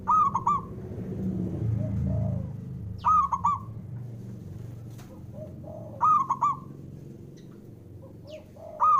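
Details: Repeated cooing of a male local zebra dove, used to stimulate slow singers: four short three-note phrases about every three seconds, each bright and abrupt, with fainter distant coos between and a rumbling low background noise.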